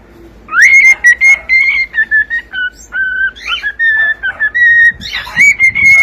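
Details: Whistled cockatiel song, a long run of steady tones that step up and down between phrases, with short separate notes and a few rougher, buzzier notes mixed in.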